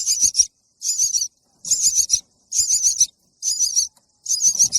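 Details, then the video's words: Nestling begging to be fed, giving six evenly spaced bursts of high, harsh, buzzy chirping, each about half a second long, separated by short silences with soft rustles. "Baby bird chirping for Feed"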